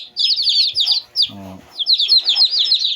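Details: Shamo chicks, two days old, give rapid high downslurred peeps in two bursts, separated by a low buzzy harmonic sound.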